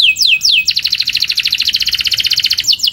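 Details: Canary training song: two falling whistled notes followed by a fast, steady rolling trill of bright repeated notes, closing with more descending whistles.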